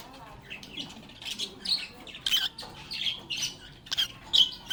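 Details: Lovebirds playing and talking: a string of high raspy squawks and chirps at roughly half-second intervals over a soft, noisy background.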